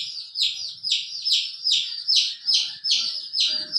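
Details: Chicken chick among a hen's colorful babies: strong, evenly spaced peeps sweeping downward, roughly two or three per second, with soft low scratching sounds in the background.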